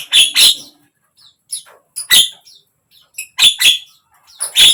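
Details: Javan myna (jalak kebo) song used to coax a mute bird into opening its beak: loud rasping notes, mostly in pairs, with short gaps and fainter scratchy sounds between them.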